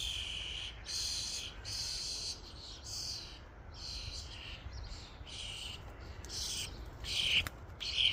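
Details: Flock of common starlings crowding a feeding station: a loose run of about nine short, harsh, hissing bursts over eight seconds, some faint and some louder, with a soft low rumble underneath.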